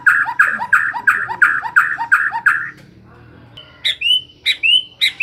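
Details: Captive white-rumped shama singing day and night: a rapid string of short repeated chattering notes, then after a pause clear rising whistles answered by a sliding high note.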